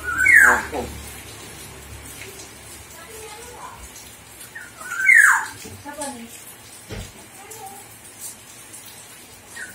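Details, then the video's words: A common hill myna imitates human speech: two loud, voice-like utterances about five seconds apart, each sliding down in pitch, over faint room noise. "Burung Beo Pintar Menirukan Suara Orang"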